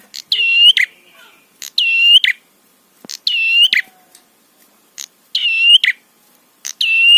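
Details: Prinia in a trapi tutor recording for provoking other prinias: steady, harmonic buzzy phrases, each opened and closed by crisp clicks, repeated about every 1.5 seconds, with short thin whistles between them.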